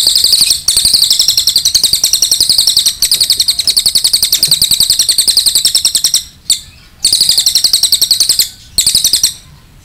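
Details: Masteran recording of a cililin for tutoring other birds: long, unbroken runs of very rapid, shrill chattering trills in the 'nembak panjang' style, later breaking into shorter bursts with gaps.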